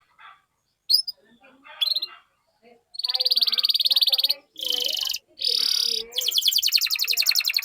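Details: Canary song used as a lure to stimulate other canaries to sing: faint soft notes at first, then from midway loud, fast buzzy rattling trills in several bursts, ending in a high rapid rolling trill.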